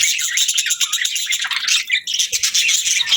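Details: Several budgerigars chirp and warble in a rapid, high, twittering stream, with short dips in loudness between bursts.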